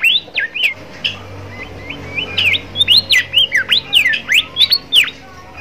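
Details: Bimoli song meant to train young birds that are learning to sing: a fast run of sharp whistled notes, sliding up and down, repeated steadily about twice per second, with a faint low hum underneath.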